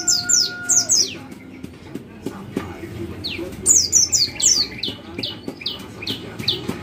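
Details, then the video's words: White-eye giving its cit cit call, used to stimulate other white-eyes to sing: rapid clusters of very high, sharp descending chirps, bunched in bursts with shorter single notes between them. "suara cit cit pleci cocok untuk pancingan pleci agar gacor"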